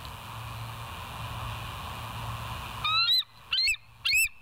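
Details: Bald eagle at West End on a live cam, morning of 21 September 2023; quiet hum, then three loud squealing piping notes with upward slurs, about half a second apart.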